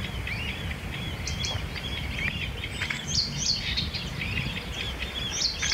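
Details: Blyth's reed warbler at a site with over 400 passing trains a day: a fast, varied run of chattering and whistled phrases, with clicks and sharp notes, over a low rumble of wind or distant noise.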